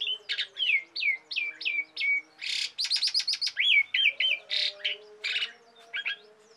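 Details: Energetic Asian pied starling song for training songbirds: bright falling whistles, then a burst of buzzy noisy notes and rapid stuttering clicks, continuing with varied chirps; a faint low drone runs underneath.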